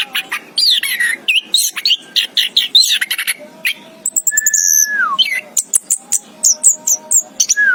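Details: Orange-headed thrush chirping continuously: rapid high squeaks, rising and falling whistled slides, one long descending whistle midway, and short repeated high notes, rich and varied throughout.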